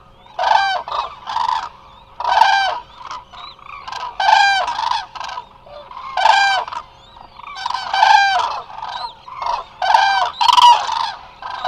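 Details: A large resting flock of Eurasian cranes, Hula Nature Reserve, Israel, on a live camera: rolling bugled calls in short clustered bursts about every two seconds, several birds overlapping, with a faint steady hum behind.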